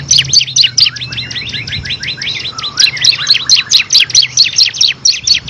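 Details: Bar-winged prinia (ciblek kristal) singing 'ngebren' style, a master song for prize songbirds: a dense chattering run of high chirps and trills, then sharper notes repeated about three a second.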